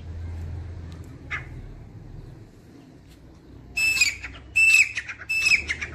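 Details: After a quiet start with low hum, a grey francolin (dakhni teetar) bursts into three strong, high whistled notes, evenly spaced under a second apart.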